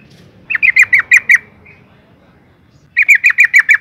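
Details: Yellow-vented bulbul female calling to provoke males: two tight bursts of six or seven bright, clipped notes in quick succession, separated by a silent gap of about one and a half seconds.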